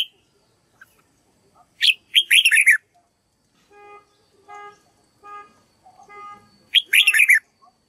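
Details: Red-whiskered bulbul song for training young birds to learn its voice: two lively warbled phrases of rolling notes, with a series of soft, evenly spaced, buzzy nasal tones from another bird in between.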